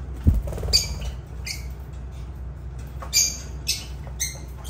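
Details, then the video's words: Lovebirds uttering abrupt, piercing squawks in irregular pairs and singles, with a soft thump near the start and a low droning hum throughout. "Agapornis love birds sounds"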